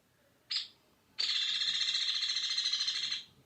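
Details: A Hairy Woodpecker, a winter bird at Sutton, Québec, gives one sharp, high 'peek', then a long, fast, high-pitched rattle of even notes lasting about two seconds.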